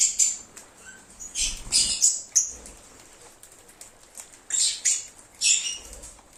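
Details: Lovebirds piping and singing: scattered bursts of bright, shrill high chirps, some doubled or tripled in quick succession, over a soft rustling background.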